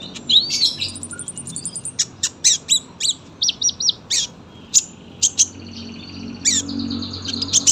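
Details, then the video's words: Sunbird song in long, closely packed phrases: a rapid high ticking trill at the start, then a series of loud, separate sharp chirps, and fast buzzy twitters toward the close. "KOLIBRI GACOR PANJANG SUARA RAPET"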